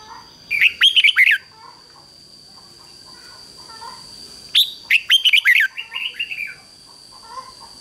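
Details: Caged decoy red-whiskered bulbul singing to lure wild birds: two bursts of loud, rich warbled phrases with sliding whistled notes, about a second each, separated by quiet; a faint steady high tone runs throughout.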